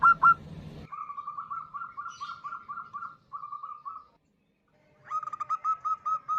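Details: Calling female zebra dove, local bird, used to lure males: after one loud note comes a long, soft, rapid string of short mid-pitched coos, then silence and a louder repeated series.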